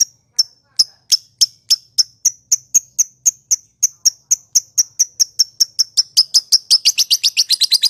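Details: Lovebird singing a long ngekek trill, a lure meant to provoke rival lovebirds and set silent birds calling: a steady run of sharp, high chirps that gets faster, ending in a rapid, dense rattling trill near the close.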